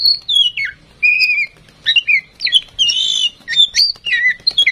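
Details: Female oriental magpie-robin kept tame to prompt singing in other birds pours out varied whistled phrases. Descending slurs, a sustained wavering note and rapid chattering bursts follow in quick succession.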